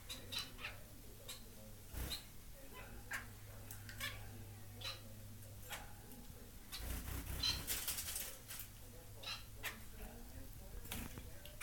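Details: Society finch pair, a white fawn pied male and white chocolate pied female, in a new flight cage; many brief buzzy chirps spread through, with a burst of rustling and clatter midway and steady indoor hum.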